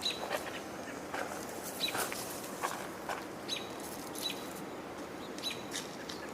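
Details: An American robin gives sharp, high alert notes, repeated irregularly about once a second, over a steady background hiss; possibly alarmed by a hawk perched nearby.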